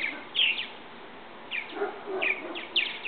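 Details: Young purple martins leaving the nest of a garden bird house, first testing their wings: short, bright chirps in scattered bursts about every half second to second, with softer low chattering notes between them.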